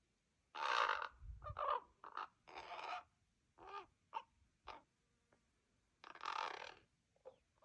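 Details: Common raven fledglings still staying with their parents, impatiently waiting to be fed: harsh, hoarse, rasping calls in short and longer bursts, irregularly spaced, with quiet pauses between them.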